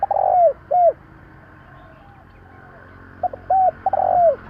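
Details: Spotted dove calling, a 2021 recording meant to provoke wild doves: a long, mellow coo sliding downward and a shorter one, a pause, then quick stuttered notes leading into another long descending coo.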